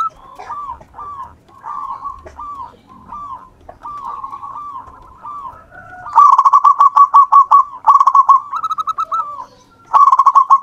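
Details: Zebra dove of local wild stock singing energetically as a lure: a run of soft, evenly repeated short coos, then several loud bursts of rapid rattling coos separated by brief pauses.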